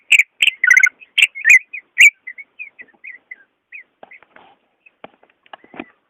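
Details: Greater green leafbird song meant to prompt a caged bird reluctant to sing: loud burst of varied whistled and warbling notes, trailing into a soft chattering sequence with scattered clicks.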